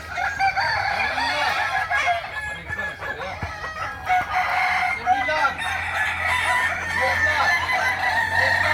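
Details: At the Ampang Kualo practice contest in Kota Solok, May 2024, Kukuak Balenggek roosters keep up an unbroken mass of overlapping crows, with arching and falling syllables and some clicks among them.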